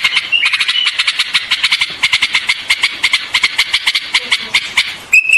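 White-eared bulbul giving a fast, bubbly chatter of bright notes, several per second, bracketed by short clear whistles.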